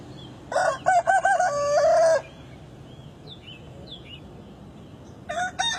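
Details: A rooster gives one clear crow of choppy opening notes and a long, level final note. Faint squeaky chirps follow during a quiet gap, and another crow begins at the end.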